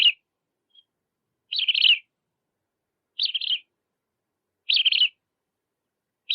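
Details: Bridled tern giving short, nasal, slightly buzzy calls with a wavering, stuttering quality, repeated roughly every one and a half seconds against silence.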